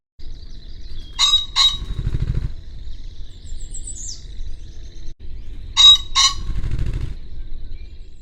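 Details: Common (ring-necked) pheasant by a farm hedge in the West Sussex countryside gives two loud, harsh two-note crows about 4.5 seconds apart, each followed by a low whirr of beating wings; faint high thin whistle behind.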